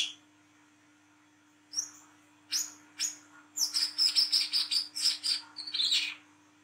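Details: At night, an olive-backed sunbird of the speckled wiceh type sings ngriwik style, a lure call: a few thin rising notes build into a rapid, high-pitched twittering run of sharp chips.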